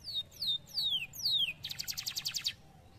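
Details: Canary singing: four clear whistled notes, each sliding downward, followed by a fast buzzy trill of rapidly repeated notes. The singing is fairly soft over a low background hum.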